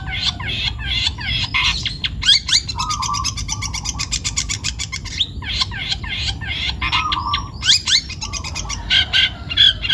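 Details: Long-tailed shrike, young and forest-caught, in loud varied song: harsh grating squawks, fast rattling chatter and brief slurred whistles, delivered in dense overlapping bursts with little pause.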